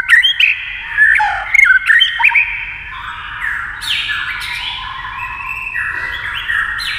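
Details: A white-rumped shama sings in competition against a TV, with tail beats and rapid beak work. Loud clipped whistles and clicks come first, then a flowing run of stepped, sliding whistled notes.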